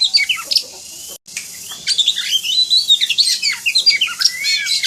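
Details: Oriental magpie-robin (kacer) song in masteran style, a tutor recording with high energy: rapid, varied whistled and chattering phrases with quick slurred notes, a brief cut near the start, then dense jumbled trills and sweeping whistles.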